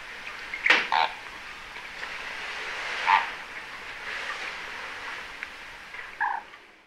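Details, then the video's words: An immature greater flamingo in winter gives short, nasal, goose-like honks a couple of seconds apart over a steady murmur, recorded from a very noisy observation hide in Aiguamolls Natural Park, Spain, on 25 January 2022. "FLAMANT Rose/Immature/Hiver/Cris"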